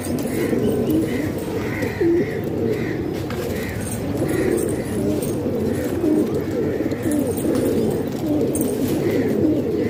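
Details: Many pigeons kept as a hobby in a house in Pakistan coo together in a steady, low murmuring chorus of overlapping rolling coos, with no pause throughout.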